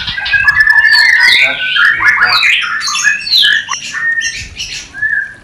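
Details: Mating call of a white-rumped shama for new pairs: harsh squawky notes mixed with quick whistled sweeps, running on without pause.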